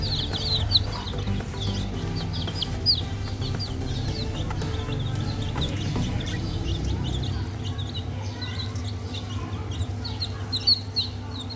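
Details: Chicks of the domestic hen, playing with eggs, chirp in bursts of high, sharp peeps, busiest at the start and again near the end, over a steady low droning hum.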